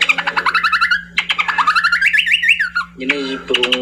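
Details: Cucak pantai, a bird endemic to Papua, singing rapid runs of sharp repeated notes, then a rising-and-falling warbled phrase, ending with lower chattering bursts; steady electrical hum underneath.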